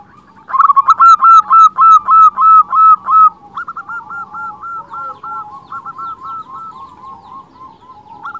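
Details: Local zebra dove singing, recording meant as a lure to attract other zebra doves and stir their breeding drive: a loud run of about ten rapid, evenly spaced cooing notes, followed by softer cooing series from other doves in the background.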